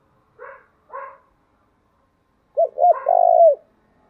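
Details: Spotted dove call aimed at stimulating other doves and bringing out the 'thổ' voice: two softer, harsher notes first, then after a pause two short coos and a long burry coo ending in a downward slur.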